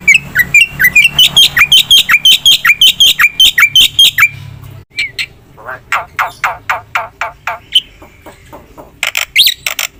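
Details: Black-winged myna singing vigorously with full fill-in phrases: a fast train of sharp chirps swooping around mid-high pitch, about 2.5 per second for four seconds, then spaced buzzy rasping notes and a final burst of shrill squawks.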